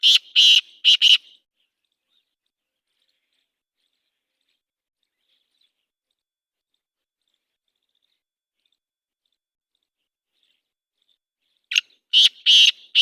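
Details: Black francolin calling: a burst of four harsh, grating, high notes in quick succession, then a long silence, then the same rasping phrase of four notes again near the end.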